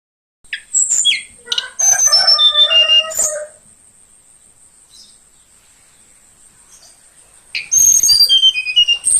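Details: Young forest-caught Tledekan Kalimantan, kept in care about two weeks, singing in the morning: bursts of clear, high whistled notes stepping downward, a pause, then another descending whistled run, over a steady high-pitched background tone.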